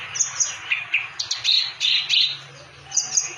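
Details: Clamorous reed warbler delivering short bursts of scratchy, chattering notes separated by brief gaps, over a low steady hum.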